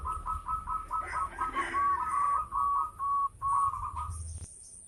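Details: Zebra dove of local stock, singing constantly with a big voice, used as a lure for other birds: steady repeated mellow cooing notes, briefly overlapped by a rougher noisy sound in the middle.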